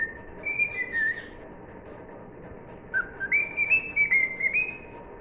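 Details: Tuneful whistling by a cockatiel singing "If You're Happy and You Know It": a short descending phrase, a quiet gap, then a lower note jumping to a string of held higher notes.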